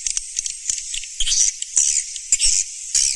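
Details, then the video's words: Swiftlet calls used as a lure: short, scattered bursts of shrill, hissing twitter, each a fraction of a second long, with gaps between them. "SUARA BURUNG WALET MASTER ALL TERBARU"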